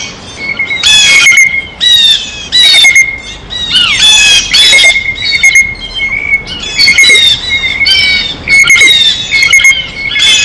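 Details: Harsh jeering squawks from blue jays at their feeder come in dense clusters, some slurring downward, repeated irregularly while the birds eat.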